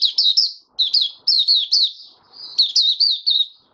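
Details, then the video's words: White-eye in an opening song, recorded 08012022: thin, high warbled phrases of quick down-slurred chirps in short bursts with brief pauses between, clean background. "Mata Puteh Raja Stablizing his form buka sing"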